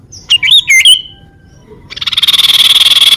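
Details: Sunbird song used as a lure and to prompt rival birds to sing: a few sharp downslurred whistled notes, then a fast, even, buzzy trill held steady for over a second.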